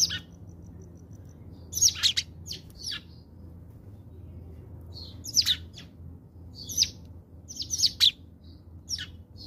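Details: At a South African bird feeder, house sparrows give sharp, high chirps in scattered clusters with quiet gaps between, the busiest run coming near the end, over a faint low background hum.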